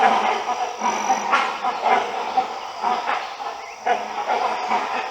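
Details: Great hornbill in a flock moving between places in India's Western Ghats, giving loud, hoarse, bark-like calls, roughly one a second at an uneven pace, over a steady background hiss.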